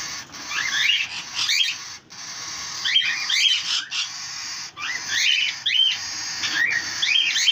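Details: Lutino cockatiels, including three babies, give a steady stream of scratchy, chattering chirps and short rising squeaks, overlapping almost continuously, with a faint hiss behind them.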